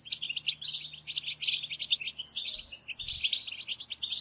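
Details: European goldfinch chatter of the batbata kind, used to encourage silent birds to sing: clustered high chirps and buzzy trills, pausing briefly mid-way before the lively twittering resumes.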